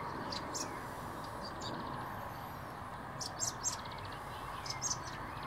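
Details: Eurasian blackbird fledglings begging while an adult feeds them: short, harsh, very high bursts in small clusters, faint against steady broadband outdoor noise.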